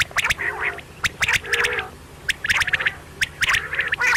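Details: Quail calls recorded at night: quick clusters of sharp clicks and short raspy harmonic notes, repeated in irregular bursts.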